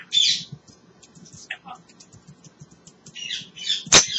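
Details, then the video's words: Pet African grey parrot chattering contentedly, giving high, harsh squawks at the start and end, with scattered soft clicks and brief mid-pitched squeaks between, over low room hum. "the African Grey Parrot talking away having a great time"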